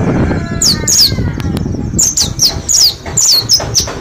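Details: Mount Slamet mountain white-eye in a shared cage, ten days into ngalas song training, gives a string of bright descending tweets, roughly three per second, over a constant low hum of background noise.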